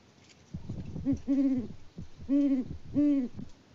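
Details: Deep, resonant hooting from a Great horned owl pair in Peabody, Kansas, in mid-February: a stuttered double hoot followed by two longer, steady hoots about a second apart.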